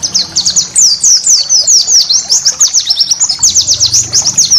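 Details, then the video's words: Continuous high twittering of a white-eye, used as master song for cage-bird training; quick downward-sweeping chirps run without a break over soft low background noise. "inilah masteran burung pleci yang banyak di cari"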